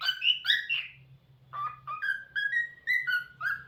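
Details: Talkative pet cockatiel giving a string of whistled notes: a few loud, wavering calls, then a stepping sequence of clear whistles at slightly different pitches, over a faint low hum.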